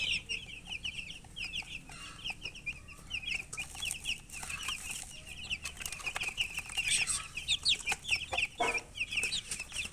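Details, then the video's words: A brood of young chicks, thirsty and wanting water, fills the scene with dense, continuous high peeping, many birds calling at once in quick overlapping chirps, plus scattered scratching and knocking sounds. "Murgi chicks Chirping sounds with thirst for drink water"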